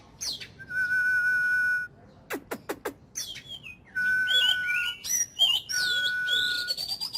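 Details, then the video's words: Ornamental Oriental magpie-robin in daily voice training, 'kích lửa' song style: sharp clicks and varied sliding whistles alternate with long, flat, steady whistled tones held for over a second. "Chòe than hót,kích lửa.Luyện giọng mỗi ngày"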